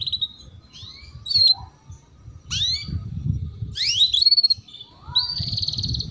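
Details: Female canary cuit-cuit calling, played to prompt young male canaries to sing sooner; scattered rising chirps mixed with a few buzzy, wavering notes, irregularly spaced, with a steady low rumble underneath.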